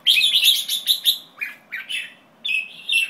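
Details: White-tailed jambul opening with a loud, rapid, rattling chatter of bright notes, then downward-slurred calls and a sustained nasal, buzzy phrase.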